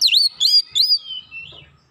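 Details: Oriental magpie-robin singing as a lure to provoke a response: three clear swooping whistles, each dipping then rising, followed by a softer falling, fading whistle.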